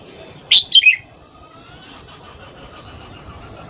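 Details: Red-whiskered bulbul morning song used to stimulate freshly caught birds and train voices: a single crisp three-note warbled phrase, falling slightly at its end, then quiet until another note begins.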